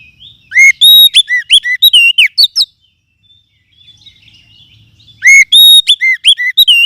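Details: Forest oriental magpie-robin lure call used to tutor other birds: two bursts of loud, clear whistled notes, looping and upslurred, with high sharp chirps, separated by about three seconds of near silence.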